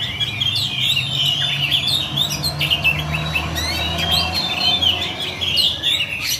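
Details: Oriental magpie-robin in fighting mode, singing a continuous rolling song: dense run of whistled and chirping notes around the upper register with sharp clicks, steady throughout, over a faint low hum.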